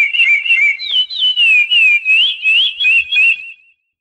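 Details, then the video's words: Curió or chestnut-bellied seed finch delivering a continuous whistled song, pure notes weaving up and down in regular pulses about three per second before fading to silence. "Canto do Curió"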